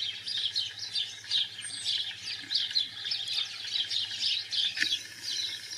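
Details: European goldfinch singing in the wild, a continuous stream of sharp, chirpy high notes and short trills, with a low steady hum underneath.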